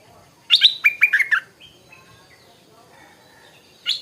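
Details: In the morning, a stripe-throated bulbul gives a quick burst of six or seven bubbly, chattering notes, then softer whistled phrases and a final brief note.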